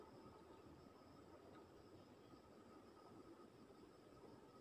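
Faint, even hiss with a steady low hum throughout and no animal calls.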